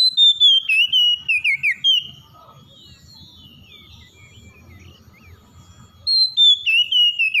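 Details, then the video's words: In the morning an oriental magpie-robin delivers fast, downward-sliding whistled phrases, repeated after a pause of about four seconds with faint twitters and low rumble in between. "KACER PAGI PEMULIH KACER SETRES CEPAT GACOR"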